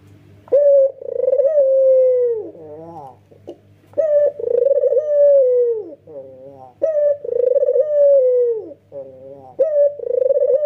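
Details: Male white Barbary dove with red eyes cooing with full emotion while nodding: four loud phrases, each a bright rising note flowing into a long throbbing coo that sinks at the end, then a softer warble.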